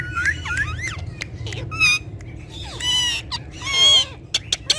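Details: Talking Indian ringneck parakeets, which use Urdu and Hindi words: rising whistles, then longer harsh, buzzy, voice-like notes and a few sharp clicks at the end, with low hum behind.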